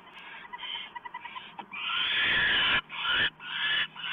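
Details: Owl at its nest on 1 November 2015 at 7:12 PM, when a small mouse is delivered: a run of short soft rasps, then one long loud breathy hiss and several more harsh hissing bursts, with faint steady background hum.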